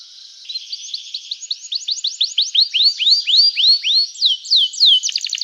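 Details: Energetic canary song meant to provoke other canaries into answering and to get silent ones singing: quick series of bright rising-falling whistled sweeps, repeated about three or four per second, ending in a fast burst of short high notes.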